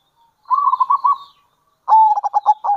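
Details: Zebra dove, local type, with kerot and bekur calls meant to attract other zebra doves. A smooth rolling trill of soft coos is followed by a louder, harsher run of staccato coo notes.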